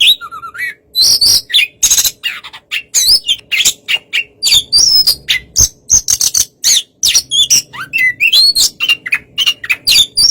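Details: Relaxed Oriental magpie-robin song meant to lure a less fiery bird into replying within seconds: continuous medley of clear whistles, upslurred notes, harsh squawky bursts and quick chirps, tumbling along without breaks.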